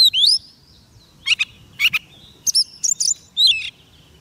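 Oriental magpie-robin singing bright, whistled phrases of sweeping and slurred notes, delivered in short bursts with brief pauses between them.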